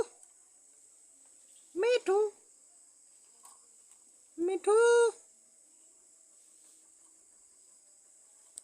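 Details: Pet common myna, kept for four years, calling like a cat: two drawn-out, meow-like harmonic notes that rise then fall, about two and a half seconds apart, over a steady high hiss.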